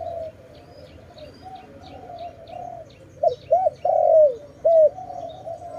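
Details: Dove filmed during bird trapping: low, quiet cooing for three seconds, then a burst of three short arched hoots and one long sliding coo, with faint high ticks above.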